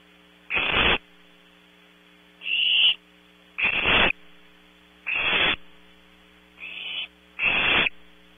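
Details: Owlets of the barn owl calling after dark at Audubon Starr Ranch, California: six raspy, hissing bursts under half a second each, irregular gaps of about one second, coarse and thinner voices alternating, with a low continuous electrical hum.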